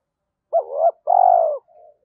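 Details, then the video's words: Spotted dove calling to provoke a rival: a rising, wavering first coo, then a long, buzzy, even coo, trailed by a soft low murmur. "cu gáy thúc đấu, bổi nghe nhanh về cội"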